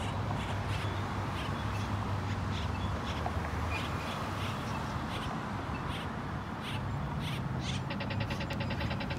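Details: A female Great-tailed Grackle on North Main Street, Euless, Texas, gives sharp, harsh chuck notes about twice a second, ending in a quick rattling burst, over a steady low background rumble.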